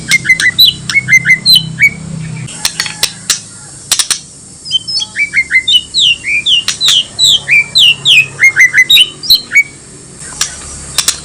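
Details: Male White-rumped shama song as a lure to make other shamas answer: long run of quick repeated chirping and whistled upswept notes in fast series, with clicks and crackles.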